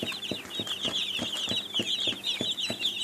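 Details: Young chicks peeping, a call given when hungry or seeking attention: a dense, continuous chorus of high, rapid cheeps, with soft low thumps repeating about every third of a second underneath.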